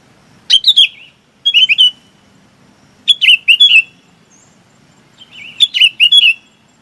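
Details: Calling the flock, a bulbul repeats short sets of three or four jaunty, dipping whistled notes roughly every one and a half seconds, above a faint low murmur.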